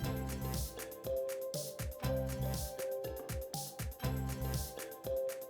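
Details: Rhythmic instrumental music with steady beats and sustained tones fills the recording; no animal voice is heard.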